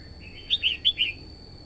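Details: Red-whiskered bulbul, female, singing to stimulate a male and lure wild birds: four clear warbled notes in quick succession, short then longer, over a steady thin electronic whine.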